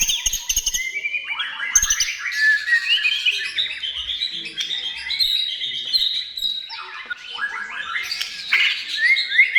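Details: White-rumped shama singing loudly to lure other shamas into song: a long, rich run of varied whistles, trills and slurred phrases, rising and falling continuously with brief sharp clicks at the start.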